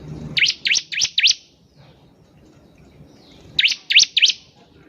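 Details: Bar-winged prinia in lively song, meant to spur other birds to sing: two fast runs of three or four piercing, high swooping chips separated by about two seconds of near silence.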